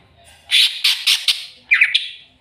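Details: Caged greater green leafbird provoked by a rival: four loud, harsh squawking bursts in quick succession, then a brief pause and a tighter cluster of three raspy notes.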